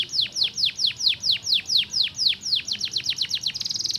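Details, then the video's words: Canary singing, song used to stimulate other canaries: clear downward-swooping whistled notes repeated about four times a second, speeding into quicker sweeps and ending on a fast high buzzy roll. "estimular rapidamente o som do canary jam"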